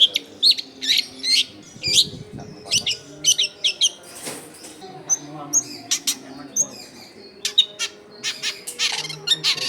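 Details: Long-tailed shrike singing vigorously, used to lure wild shrikes: chains of harsh buzzy and chattering notes, short whistles, and a brief broad rushing noise partway through, over a quiet low hum.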